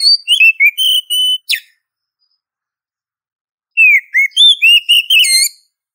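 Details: Female Oriental magpie-robin calling a male, used as a lure and training sound: two bursts of clear whistled notes, slurred downward and upward, with a brief harsh buzzy note between them and a silent gap of about two seconds.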